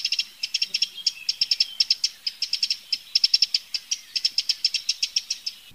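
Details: Long run of sharp, dry tick calls from a wild Eurasian wren, delivered in rapid irregular clusters with no pause, steady in loudness throughout.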